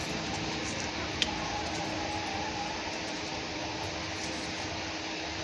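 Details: Steady fan-like hum and broadband noise fill the recording, broken only by a single sharp click.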